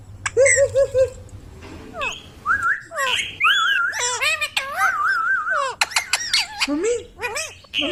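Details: Talking ringneck parrot kept as a pet, mixing quick chattered syllables with clear whistled notes that hold steady and then slide, followed by short squeaky bursts near the end.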